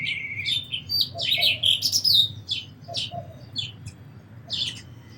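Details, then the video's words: Sparrow chirps, loud and bright, bunched into a quick chattering burst early on, then single chirps spaced about half a second apart, fading toward the end over a faint low hum. "Very Beautiful Birds & Sparrows Sounds"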